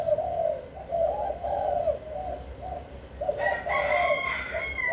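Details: Spotted dove from Vinh Long giving low rolling coos in a steady series; a rooster crows loudly over the final second and a half.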